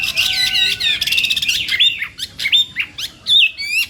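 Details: A contest-trained Chinese hwamei sings in the morning: a dense burst of rich whistles and trills, then sharper, separated upslurred notes with short pauses.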